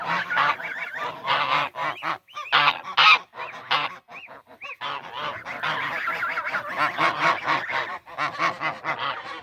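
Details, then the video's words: Many geese calling at once, bursts of harsh overlapping honks broken by short silences, then a steady chorus of rapid honking. "Vários Gansos fazendo barulho, esses sabem fazer barulho."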